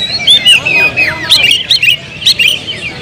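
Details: Captive Oriental magpie-robin gives a short burst of clear whistled notes, twisting slurs and brief chirps in quick, uneven succession, with a quiet low background hum.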